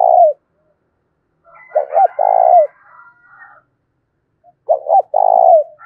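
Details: Provocative fighting coo of a spotted dove, 'thổ' voice style, for luring wild doves and decoys: two low phrases, each of quick stuttered notes ending in a longer mellow coo, with a soft higher murmur between them.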